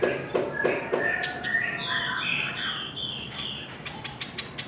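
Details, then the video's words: Chinese hwamei in a singing contest: it opens with a few lower, husky pulses, then moves into a sequence of clear whistled notes that step upward into high, sustained slurs before fading into faint clicks. "Chim họa mi hót đấu"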